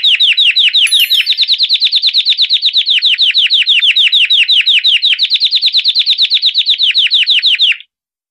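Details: Belgian canary's 'campainha' bell song: a steady chain of rapid, sharply falling chirps, evenly spaced, ending abruptly.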